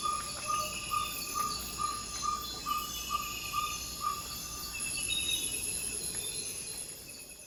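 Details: Pre-dawn Amazon rainforest in Ecuador: a ferruginous pygmy owl sounds its territorial call, around ten evenly spaced, same-pitched 'toop' whistles that stop midway, leaving only continuous high-pitched insect chorus.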